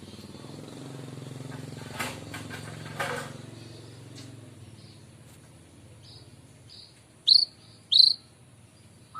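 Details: A white-rumped shama in the morning, used to lure birds, gives two sharp rising whistles close together after faint clicks and a low background rumble.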